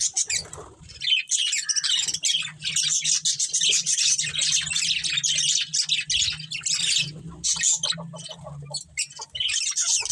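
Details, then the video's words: Colony of budgerigars including a breeding pair chirping for a long stretch: fast, high, rasping twitters and warbles repeated in pulsing bursts, with a faint low hum underneath. "Cute Budgies Chirping Sounds"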